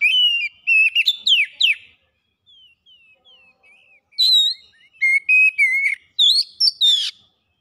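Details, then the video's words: Oriental magpie-robin song, a lure meant to get birds singing and showing their repertoire: bright whistled phrases mixed with harsh rasping notes in two loud bursts, separated by a soft run of thin notes. "PANCINGAN KACER CEPAT GACOR LANGSUNG BONGKAR ISIAN"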